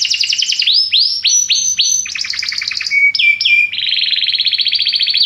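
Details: Belgian canary singing a fast, continuous song of rapid trills and rolls, repeated notes shifting from high sweeping tours to buzzy bursts and lower rattling phrases, steady and loud with no other sounds.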